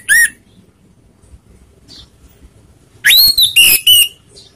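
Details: Lure song of an orange-headed thrush, meant to rile rival birds: a brief high whistled note, then after a quiet gap a loud phrase of descending whistles and sharp repeated notes, over faint low rumble.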